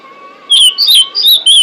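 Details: Female pied bushchat calling to attract males: a brief run of four or five sharp, high whistled chirps, some sliding downward, over a steady faint background hum.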